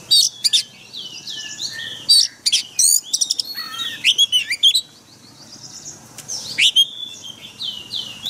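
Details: White-rumped shama song for training caged birds, forest voice: varied high whistles, buzzy trills and slurred notes in irregular bursts, with a quieter gap midway before singing resumes.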